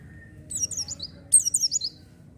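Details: Oriental white-eye song used as a lure for wild-caught birds: two short bursts of high, rapid descending twittering notes, each under half a second, over a faint low hum.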